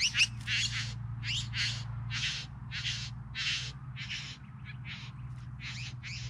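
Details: Three bowerbirds uttering around ten broad, hoarse churring notes, some closely paired, at an uneven pace near two per second, with a steady low hum underneath.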